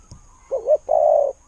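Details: A single spotted dove phrase in the kuu-ang style: a soft wavering double note, then a sustained low, mellow coo lasting about half a second, heard close and clear.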